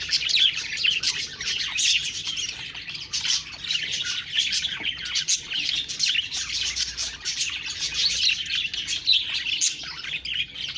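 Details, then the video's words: A long stretch of budgies chirping, a constant, dense babble of high twitters, clicks and squeaks from many birds, fairly even in loudness. "Budgies Birds talking sound Birds chirping sounds"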